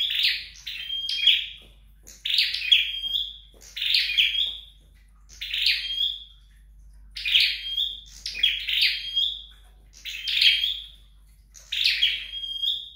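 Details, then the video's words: Home-trained flowerpecker delivering repeated short high-pitched phrases of crackly chirps and a thin sustained whistle, about eight bursts spaced evenly, quiet background hum. "Dợt Sâu Đầu Đỏ Tại Nhà"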